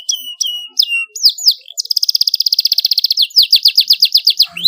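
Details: Domestic canary singing loud, vigorous song used as a master tutor for young birds: drawn-out descending whistles, then a fast even trill of about twenty rapid notes, followed by slower repeated swooping phrases.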